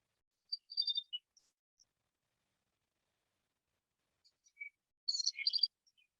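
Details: Southern House Wren, the native chercán of Villa Alemana, Chile, with an elaborate song often heard in mornings: brief high, trilled and chattering phrases with quick descending notes, a pause, then a dense jumbled burst.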